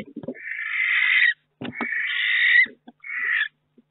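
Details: In a nest box during a May week, with a second chick hatched, a barn owl gives three drawn-out rasping hiss-screeches of about one second each, with soft knocks and shuffling between them.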